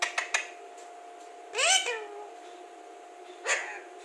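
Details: Alexandrine parakeet, a clear-speaking talking parrot, makes two clicks, then a loud arched harmonic call with a trailing lower tone, and a shorter rising syllable near the end, indoors.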